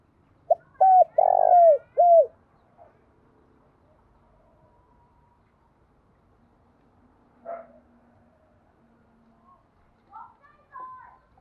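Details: Decoy call of a spotted dove, used to draw in wild birds: a quick run of low cooing notes with a burry middle note near the start, then long quiet with a few faint distant notes and soft background hum.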